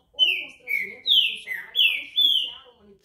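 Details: Green-winged saltator (pixarro, trinca-ferro) singing five bright whistled notes, each falling in pitch, spaced roughly half a second apart, over soft background chatter.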